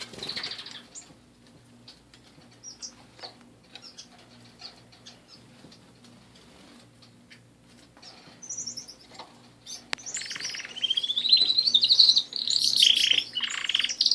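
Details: Canary song: after a quiet stretch of scattered soft chirps and a few thin high notes, a loud burst of rapid rolling trills and bright whistles rises over the last few seconds.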